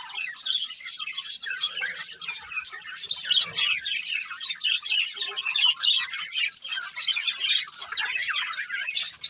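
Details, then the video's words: Chirping from a breeding pair of caged budgerigars: raspy squawk-like notes and fast twitter mixed in a continuous flowing stream, with one sharp click partway through. "Beautiful Budgies Chirping Sounds"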